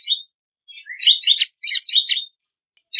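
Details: Bar-winged prinia (ciblek kristal) variation used for training songbirds: a jumbled, twittering run of high, squeaky chirps and short trills rather than an even series, in quick uneven clusters.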